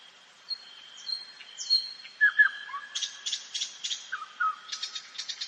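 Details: Forest nightingale at night: thin high whistles and low sliding notes, then a series of rapid evenly spaced clicking strokes repeated several times, with a continuous high background tone.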